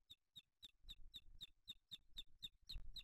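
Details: Booted eagle nest in Spain, July 2023, with chicks, the male delivering a small bird to the older one: evenly spaced piercing high notes, roughly four per second, over a low muffled rumble.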